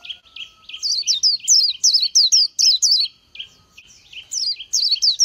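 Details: Oriental white-eye singing lilting high whistled notes that dip and rise, over softer lower chattering chips, in two rapid phrases split by a quiet pause.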